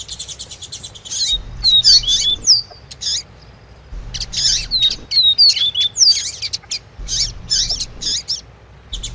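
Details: A male Double-collared Seedeater (papa-capim) sings a "tui tui" song to a female's call, which is played to stir him up. He gives high, rapid phrases of sweeping whistles and buzzy chirps in bursts every few seconds over a faint low hum.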